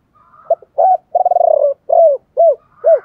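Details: Spotted dove song of the chiêu ba hậu style meant to spur other doves into singing: a clipped opening coo, a long stuttering tremolo coo, then three clear descending arched coos.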